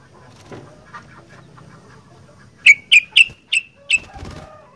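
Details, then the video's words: Sooty-headed bulbul in "gacor fighter" style giving a rapid run of five short sharp notes, about four per second, after low rumbling background noise. "Burung Kutilang Gacor Fighter"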